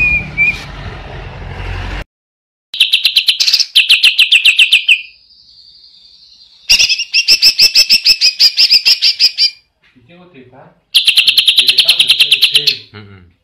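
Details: Greater green leafbird, recorded as a training reference for other birds, singing energetically in the 'ngentrok' style: loud bursts of fast, high rattling trills broken by a drawn-out whistle, separated by short pauses, with a low hum at the start.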